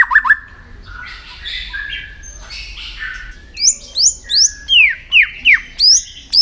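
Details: Contest-training white-rumped shama: soft scratchy chatter at first, then a regular series of loud downslurred whistles, about two per second.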